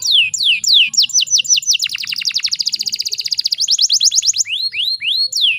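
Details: Female canary in breeding condition, heard to provoke male canaries into song; falling whistled notes lead into a fast rattling trill, then a buzzy roll and closing rising slurs.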